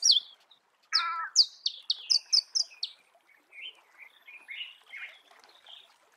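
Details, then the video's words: Marico sunbird in natural habitat: a burst of high, sharp chirps and slurred notes, then a softer, lower twittering phrase fading out. "Marico Sunbird"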